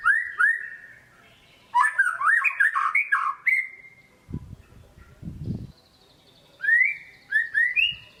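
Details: White-rumped shama kept in a cage, lure song: two mellow slurred whistles, a jumbled warbling run of rising and falling notes, a pause with low thumps, then rising paired whistles.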